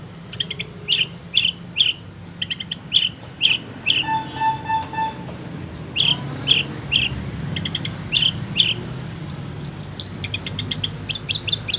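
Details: Long-tailed shrike masteran song with many pauses: varied clear whistled notes in short groups, a thin buzzy trill, then high, rapid, sharp notes at the end.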